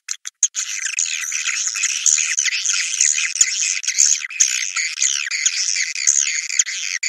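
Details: Swiftlets in a 'Naga Merah' lure recording, used to draw swiftlets to nest sites: dense, continuous high twittering and chirping chorus with overlapping buzzy notes, a few brief sharp clicks at the start.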